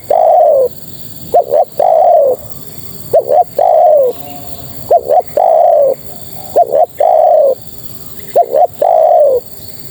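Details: Female Spotted Dove calling to males: a repeated pattern of two short clipped notes followed by a longer, falling, mellow coo, about every 2.5 seconds, with a faint steady hum in the background.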